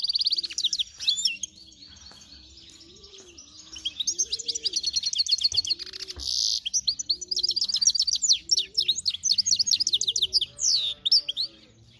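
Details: Finch × canary hybrid in sustained song, dense runs of high twittering notes, rapid trills and sharp down-slurred whistles broken by brief pauses, while a low cooing voice repeats steadily in the background.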